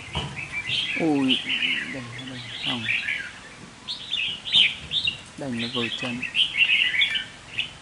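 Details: Caged red-whiskered bulbul kept as a lure bird, giving short bursts of bright, warbling chirps with quick up-and-down notes, broken by a man talking loudly nearby.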